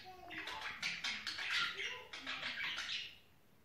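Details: Budgerigars during mating time. A busy, scratchy warble of quick chirps and chattering notes runs continuously for about three seconds, then fades to quiet.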